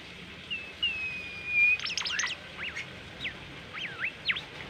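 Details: Bimoli singing gacor training song: a long steady whistle, then a burst of steep sweeps followed by spaced looping, rising and falling notes.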